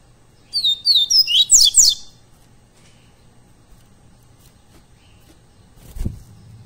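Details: Double-collared seedeater, coleiro pardo type, recorded live as training song for captive birds: a burst of sharp whistled downslurs building into buzzy sweeps for about a second and a half, then quiet with one low thump.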